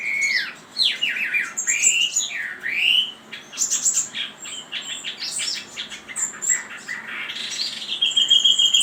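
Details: Chinese hwamei song: loud, varied whistled phrases with sweeping slurred notes, then a fast run of repeated sharp notes and a sustained high trill at the end.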